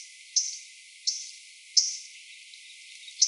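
A MacGillivray's Warbler gives sharp, high, hard chip notes, four in about three seconds, spaced roughly every 0.7 seconds over a faint hiss.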